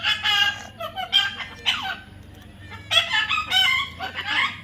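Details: Young parrot giving loud, raspy, harmonic squawks in bursts, pausing briefly mid-sequence before another run of harsh chattering calls; low steady hum underneath.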